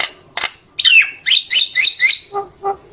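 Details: Common myna song used to call the flock: two sharp clicks, then a series of bright slurred whistles about four per second, followed by soft low chuckling notes.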